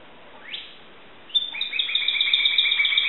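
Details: Caged Timbrado canary from Greece singing: a rising whistled sweep, a pause, then a sustained high trilled tone with a lower rolling trill beneath, continuing steadily to the end.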